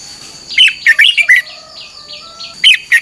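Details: Red-whiskered bulbul morning training song, a burst of quick, warbled whistled notes followed by soft, drawn-out thin whistles and another brief phrase, with a high steady electronic tone behind.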